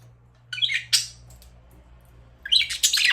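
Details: Budgerigar chirping in two harsh, scratchy bursts of rapid squeaky notes, the first early and the second near the end, with a quiet steady low hum underneath.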